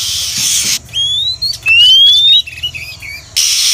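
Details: Female Oriental magpie-robin call played as a lure for trapping wild birds: long thin rising whistles and a few twisting notes between loud bursts of hissing noise at the start and end.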